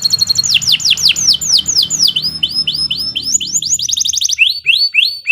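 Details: Canary in continuous training-song delivery, sharp and high: descending swept whistles repeated about four per second, speeding into a quick burst near the end, then spaced upswept notes.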